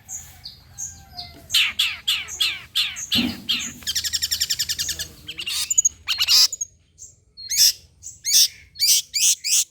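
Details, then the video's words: Long-tailed shrike lure song played to make shrikes respond: a varied run of high whistles, harsh grating notes and a fast buzzy trill, closing with loud scratchy chattering notes. "PANCINGAN CENDET TERBAIK, SEMUA JENIS CENDET PASTI NYAUT BUNYI DIBUATNYA"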